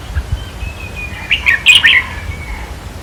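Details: Red-whiskered bulbul from a decoy-trapping session, sound meant to make caged birds lively: one rapid burst of clustered whistled chirps around the middle, with a faint steady thin tone in the background.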